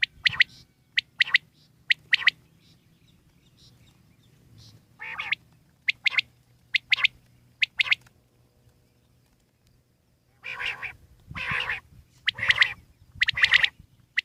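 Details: Common quail, wild, giving short sharp bursts of calls, mostly in quick pairs and triplets, spread unevenly through the recording against a quiet background.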